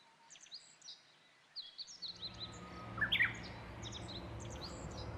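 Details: Japanese bush warbler (Horornis diphone) singing from overhead with puffed-out chest on Mount Rokko, Japan, 21 March 2015, spring equinox: a long level whistle, then a quick bright tumbling flourish; thin high chirps of other birds throughout over a low rumble.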